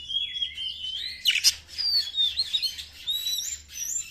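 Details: White-rumped shama singing as a lure for other birds: sustained clear whistles gliding up and down, one loud burst of harsh notes near the middle, then thinner high trills.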